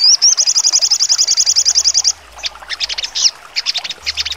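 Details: Trotol song of a sogon (crimson sunbird) with sharp high notes: a rising whistle opens a fast, even, piercing trill of about two seconds, then scattered buzzy chirp bursts.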